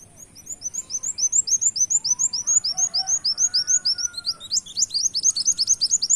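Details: Brown-throated sunbird giving a canary-style mimicking song used as a lure: a fast run of high, upward-slurred chirps, about two per second or more, with a faint lower whistle running underneath.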